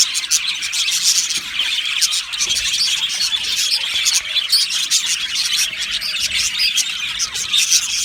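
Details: Colony of Australian budgerigars kept in an aviary, singing and chirping; a constant high twittering murmur with scattered sharper tweets rising above the crowd.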